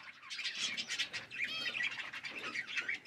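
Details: Parrots chirping during a meal: continuous busy flock chatter of quick, high, bubbling notes and short whistled rising calls layered over each other.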